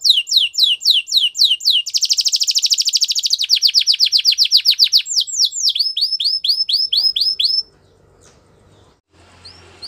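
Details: A Gloster canary's training song: rapid chains of upward-sweeping chips, a long fast rattle in the middle, more sweeping notes, then the song stops and only faint room noise remains.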